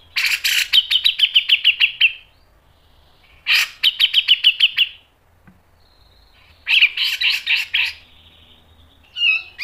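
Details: Grey-cheeked bulbul masteran song: three separate bursts of rapid harsh pulsed chatter, each about two seconds long, with quiet gaps between and a brief squeaky phrase at the close.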